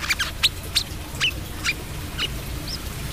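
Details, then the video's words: Brown-throated sunbird in lively 'trotol' song: sharp, high chirps alternating with brief clicks, ending in a single rising whistled note, over a low background rumble. "KOLIBRI KELAPA TROTOL GACOR WIKPLONG KORLAP TROTOL GACOR"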